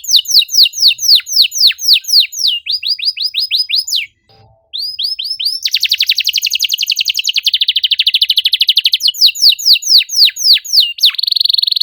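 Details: Canary giving a long 'cuit cuit' lure song used to get a silent canary singing: clear sweeping notes, a brief break, a buzzy rapid trill of several seconds, further swept notes, and a final trill.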